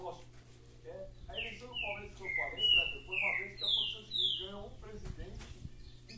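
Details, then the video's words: Saffron finch song of ringing, downward-slurred whistled notes given in a quick series that rises in pitch, with men's voices talking underneath throughout. "canário da terra cantando"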